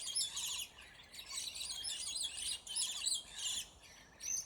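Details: Aggressive Scaly-breasted lorikeets in a territorial fight; shrill, rasping screeches in repeated half-second bursts separated by brief quieter gaps.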